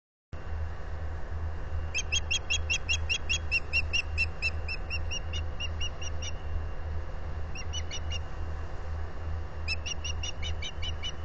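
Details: Hungry osprey at a nest at Salt Point in the Finger Lakes, US, captured by a solar-powered camera on 14 April 2022. Rapid runs of thin, high chirps come in three series over a constant low rumble of wind.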